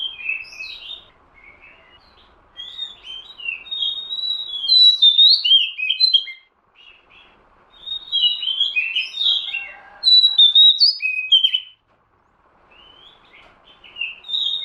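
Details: Oriental magpie-robin sound played as a bird lure, a long run of bright, varied whistles and chirps in bursts with short pauses, over a faint low hiss.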